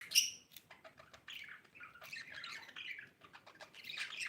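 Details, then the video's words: Budgerigar mother with her baby, chirping: a loud high chirp at the start, then a run of soft, varied warbling chirps and short squeaky notes that rise and fall. "budgie chirping sound"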